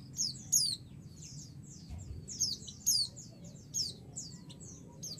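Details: Female white-eye calls to draw an answer from a male. Rapid bursts of high, sharp descending chirps and twittering notes, repeated in clusters roughly every second or so, with a steady low hum underneath.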